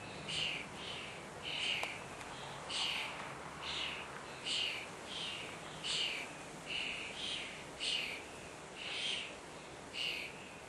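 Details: Common starling chicks begging at feeding time: harsh, hissing rasps in short bursts, repeated steadily about every half second to second, fairly soft and even throughout.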